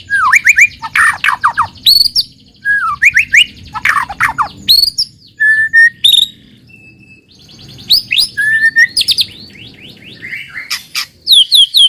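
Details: Lure song of a white-rumped shama to make other shamas sing: mixed whistles, slurs and brief trills in scattered phrases with quiet pauses between.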